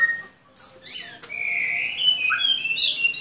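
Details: Hwamei singing a long drawn-out whistle that slowly rises, bracketed by quick high slurred notes and a short sharp click.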